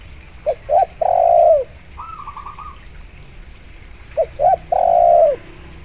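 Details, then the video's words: Spotted dove calling strongly among local zebra dove sounds, played as a lure. Two phrases of two short coos and a prolonged low coo, with a higher rapid zebra dove trill in the gap. "tekukur gacor di iringi suara perkutut lokal gacor untuk pancingan"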